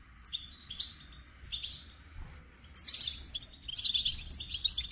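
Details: Goldfinch song in short bursts: high, rapid tinkling twitters and buzzy notes, bright phrases spaced by brief pauses, denser trilling in the second half, with a faint low hum beneath.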